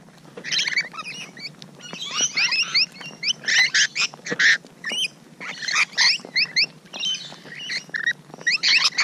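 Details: Rainbow lorikeets at close range on a morning of 12 June 2017: bursts of harsh, screechy, rasping chatter with sharp upslurred squeaks, overlapping calls coming in quick clusters with short gaps between them.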